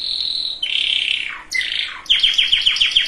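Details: Singing canary, meant to get hens and cocks ready for breeding: a steady whistle sliding into a falling buzzy sweep, then a swift series of sharp repeated chips, about eight per second.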